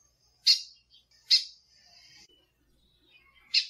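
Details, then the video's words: A female lined seedeater gives short, bright, high chips, two close together and a third after a two-second gap, with a faint thin buzz between them. "CANTO DO BIGODINHO MACHO E PIADO DA FÊMEA BIGODINHO"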